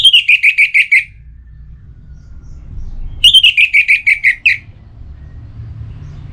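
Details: Orange-headed thrush in breeding condition singing at a rival: two phrases of about eight evenly spaced, slightly descending whistled notes, roughly two seconds apart, over soft low rumble.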